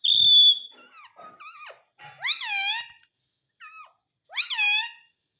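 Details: Indoor pet ring-necked parrot imitating words like 'mitthu' and 'mummy': a steady tone at the start, then wavering speech-like syllables and two loud, bent, harmonic squawks, quiet room between.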